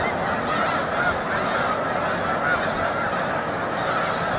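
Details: Snow geese in a large migrating flock at Montezuma, New York, on 7 March 2022, migration nearing peak; a dense, continuous roar of overlapping honking calls, steady throughout with no gaps.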